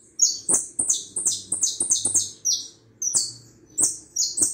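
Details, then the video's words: Hooded siskin from Uruguay singing a rapid series of high, thin, buzzy twittered notes in bursts, with sharp low clicks between phrases. "jilguero uruguayo"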